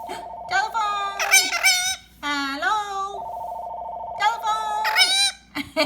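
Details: Pet talking Indian ringneck parakeet indoors, imitating a telephone ringtone: long steady buzzing ring tones broken by loud harmonic squawked phrases, repeated twice over about six seconds.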